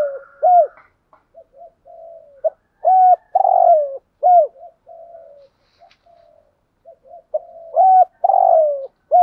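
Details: Decoy spotted dove giving its coo phrase twice: soft mumbled notes building into loud, rough, falling coos, then trailing off into quiet murmurs.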